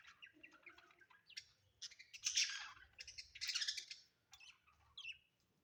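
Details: Pet budgerigars kept at home, giving soft scratchy warbling chatter in short irregular bursts, with two louder buzzy squawks in the middle and a faint low hum underneath.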